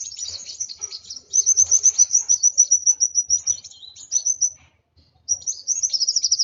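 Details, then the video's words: Excited kolibri wulung sunbird pours out a long stream of very high, squeaky chirps and quick slurred notes, breaks off into silence, then resumes with a rapid burst. "Burung Kolibri Wulung Emosi Sampai ke Ubun Ubun.."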